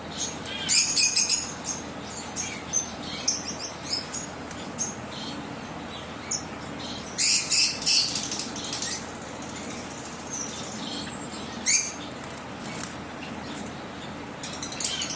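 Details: Zebra waxbills in an aviary give thin, high, scratchy chirps in quick uneven bursts, with soft wing flutters and faint background hiss between calls.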